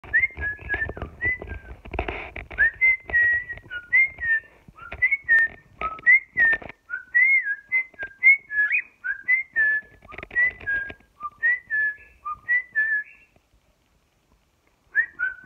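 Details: A pet cockatiel being taught to speak gives a run of clear, rising and falling whistled notes in quick, uneven phrases.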